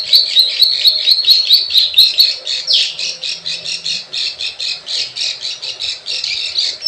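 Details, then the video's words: Plain prinia lure, 'klik klik ciwah' style for attracting wild birds: opens with quick ticking clicks over thin buzzy notes, then shifts to louder harsh buzzy calls repeated about twice per second. "SUARA PIKAT PRENJAK SAWAH_KLIK KLIK_CIWAH"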